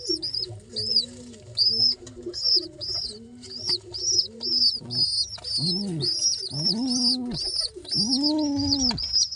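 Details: Pigeon chicks calling during feeding: insistent high piping squeaks in quick succession alongside lower, drawn-out wheezy and hoarse begging notes that swell and fade, indoors.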